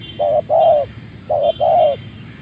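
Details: Spotted dove of Malay strain, kept as a ground decoy, cooing just after release from its box: two paired phrases, each a brief coo followed by a longer, smooth, rounded note, with a faint high whine behind.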